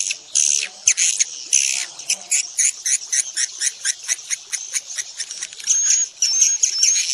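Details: Swiftlet calling sound played to draw swiftlets into a building to stay the night: quick, clicking, chattering pulses in fast irregular bursts, with a few thin high whistles near the end.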